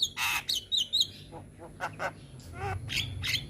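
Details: Young Javan myna (jalak kebo) in lively song: a loud harsh squawk, twittering whistled notes, then softer scattered clicks over a low background hum.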